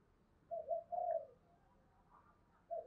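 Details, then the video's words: Decoy spotted dove with a harsh, scolding voice of the "thổ" style, calling to provoke wild doves; faint low hooting coos, two or three notes near the start and another at the end, over a quiet background. "Chim Cu Mồi Kích bổi giọng gắt gỏng như chửi bổi vậy, bổi nào nghe cũng ghét"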